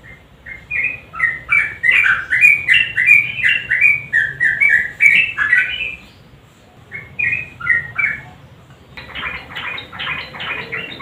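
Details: Lively sooty-headed bulbul song played to get quiet birds singing: tumbling whistled and chattering phrases for six seconds, a short gap, then more warbled notes and a dense burst of harsher repeated chirps.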